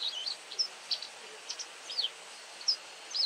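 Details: White wagtail calls: single and doubled thin high chirps spaced about half a second apart, with background hiss.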